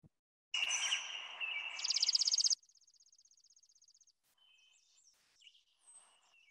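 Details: Chipping sparrow song: a soft, long, dry trill of many rapid identical whistled notes, loud at first then fading, preceded by a harsh, scratchy call.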